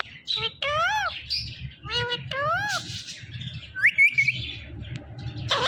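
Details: Indian ringneck parakeet, a male pet bird, talking in a series of hoarse, arching speech-like syllables, roughly one every second, ending with a brief sharp whistle and a burst of noise.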